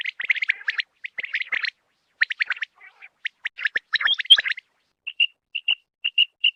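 Quail giving dense bursts of sharp, high chirping notes, then a run of short, clipped calls repeated about every third of a second.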